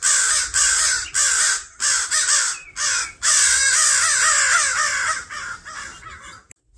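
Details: Crows defending their fledgling from a person in a yard, giving a dense run of loud, harsh caws, some short and clipped, then a long continuous scolding stretch before stopping abruptly.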